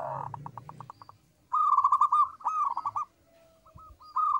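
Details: Active local zebra dove with a small, melodious, clear voice, used as a lure for other birds. A quick series of short notes leads into fast, rolling, trilled coos, then a pause and isolated hooked notes.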